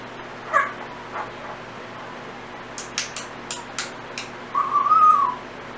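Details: Pet Timneh African grey parrot indoors making random noises and learned whistle fragments: a few soft clicks and taps, then a longer smooth whistle that rises and falls gently, lasting under a second.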